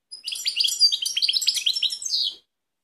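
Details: European goldfinch, Balkan type, singing in Kumanovo, Macedonia, on 16.03.2018; one sustained run of rapid tinkling, twittering notes finishing with a longer buzzy slur, nothing else audible.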